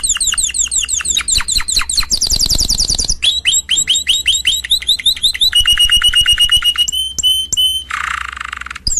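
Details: Loud, continuous canary song: rapid high rising syllables, a dense tumbling trill, repeated downslurred whistles, then an even trill and a brief harsh rasp near the end.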